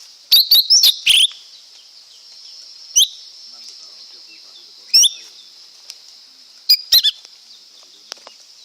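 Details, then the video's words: A lesser green leafbird gives sharp, high chirps and quick squeaky notes, a burst at the start and then single phrases every two seconds, over a steady high hiss. "เสียงนกเขียวก้านตองเล็ก Lesser Green Leafbird Sound"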